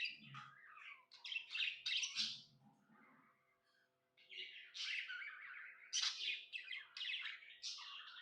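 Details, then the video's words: Pet budgerigar chirping happily, with sharp chirps and chattering warbles in bursts, a quieter lull in the middle, and soft low thumps or handling sounds beneath. "Happy budgie chirping sounds"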